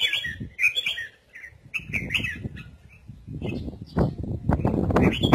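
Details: Red-whiskered bulbul singing giọng kép, the double-voice style: a run of short whistled and warbled phrases over about three seconds, then rustling, thumping noise and low voices.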